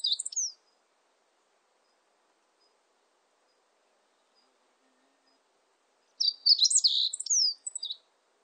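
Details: Meadow bunting recorded in 2020 gives a brief high phrase, then a quick jumbled song of sharp, sweet high notes after a long quiet pause.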